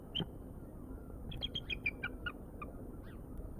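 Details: Bald eagles at Decorah, heard at 23:12 on 09/09/2022 via live nest camera: a quick series of thin, high chittering notes stepping downward, preceded by one clear whistle, over low background rumble.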